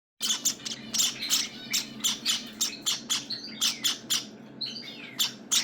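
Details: Java sparrow nestlings at day 18, giving repeated short, sharp high chirps in rapid bursts, roughly three to four per second, with a few rising squeaky notes between them and a low steady hum underneath.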